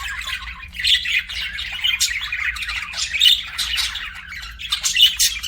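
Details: Budgie chatter made of rasping squawks mixed with bright chirps, rising and falling in loudness, with a few brief high whistles over the steady warble.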